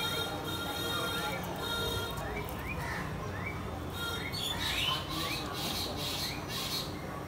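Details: A pair of house sparrows chirping: short, rising cheeps repeated about every half second over steady background hiss, with brighter chatter joining partway through.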